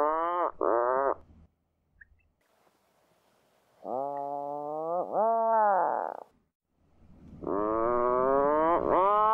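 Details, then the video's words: Atlantic puffins calling on sea cliffs of a small island: repeated loud groaning, nasal moans in bursts separated by short silences, each swelling and bending in pitch, with a low rumble of wind or surf beneath. "Atlantic puffin sounds on the cliff coast."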